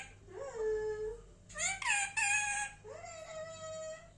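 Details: Indian ringneck parrot indoors, voicing three drawn-out, nasal, wailing notes that rise at the start and hold level, the middle one louder and harsher, over a steady low hum.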